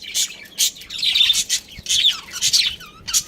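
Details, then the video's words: Breeding pair of budgerigars trading sharp chirps and buzzy warbled phrases, loud notes recurring roughly every half second, with a short falling whistle near the end. "Cute Budgies Chirping Sounds"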